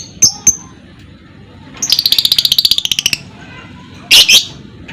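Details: Lovebird sound meant to spur other lovebirds to sing: two high ticks, then a fast buzzy rattle of rapid pulses lasting about a second, ending in a harsh squawk.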